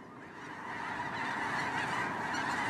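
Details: Snow geese on migration, a huge flock whose clamour of crowded, high-pitched honks swells up from quiet to a loud, continuous chorus within the first second.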